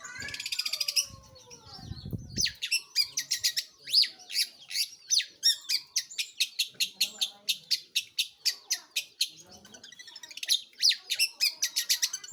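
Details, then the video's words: Long-tailed shrike singing vigorously; after a harsh burst and a low thud at the start, a long series of quick, scratchy chattering notes follows, several per second, fairly regular throughout. "burung pentet/cendet gacor"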